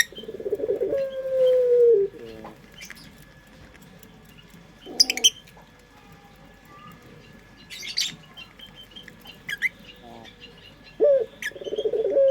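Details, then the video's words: Puter pelung dove song used as a lure: a burred coo ending in a long sliding note, a quiet stretch with scattered small-bird chirps and short clicks, then another rough coo starting near the end. "Pancingan Suara Burung Puter pelung paling dicari bersuara merdu"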